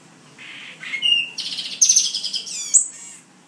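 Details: In New Jersey, a caged male black-and-white seedeater that recently changed plumage gives a fast song: a low buzzy note, then high rattling trills and thin piercing whistles packed into under three seconds.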